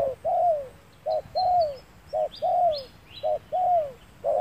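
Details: Spotted dove heard while being trapped with a lure bird on a fine sunny day: short clipped coos alternating with longer falling coo notes, in a regular pattern, with faint high twittering from other birds in the background.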